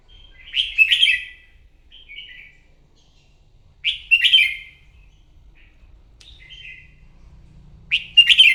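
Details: Wild-caught red-whiskered bulbul singing competitively in the morning: three short, bright warbled phrases, each rich and slightly buzzy with quick rising and falling notes, spaced about three to four seconds apart, with softer twittering between them and a faint low hum.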